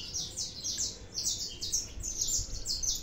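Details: High, bright chirps from a saffron finch come in close succession, quieter and more distant-sounding, over a noticeable low background hiss.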